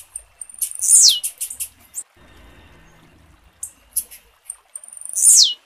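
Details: Female blue-black grassquit calling to stimulate the male to sing: bursts of rapid high chips leading into loud shrill downward-gliding notes, one at the start and one at the end, with a quiet gap between.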